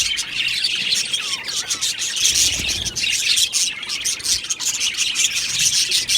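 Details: Australian budgies chirping and singing together in an aviary colony; thick, continuous high chatter of buzzy chirps and warbles, with a few soft descending whistles and a brief low rumble.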